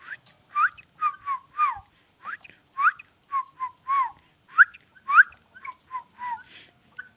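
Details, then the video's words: Ringneck parrot giving a lively run of short whistled notes, some rising, some falling sharply, delivered in quick uneven bursts of about two per second with brief pauses and a quiet background. "amazing ringneck parrot"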